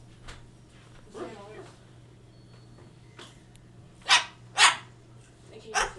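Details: Baby cockatoo perched on a manzanita tree giving harsh, noisy bark-like calls: three loud rasping barks in the later seconds, two close together then one more, after a soft human voice early on and a steady low hum.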